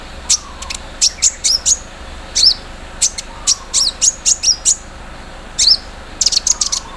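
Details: ["Dense bursts of thin, high chirps and short rising squeaks, grouped in quick clusters with pauses between, from a kept olive-backed sunbird giving 'mesin bordir' filler in the morning dew."]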